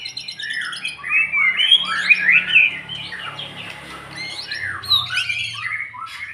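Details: White-rumped shama after its moult, its emotion and fighting spirit being built up step by step. It gives a rich, varied song of loud slurred whistles and fluty phrases, mixed with higher squeaky notes and brief pauses.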